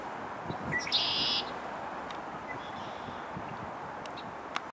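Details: Near Mimico Creek in Humber Bay Park, a red-winged blackbird gives a brief high note, then a half-second harsh buzzy burst, over steady outdoor background noise.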